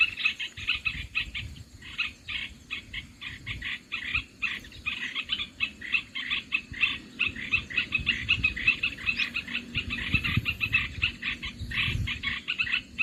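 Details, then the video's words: Olive-winged bulbul calls played to lure birds for trapping, a steady stream of rapid chattering, bubbling notes that runs on with hardly a break, over a soft low background hum. "SUARA MIKAT BURUNG MERBAH BELUKAR"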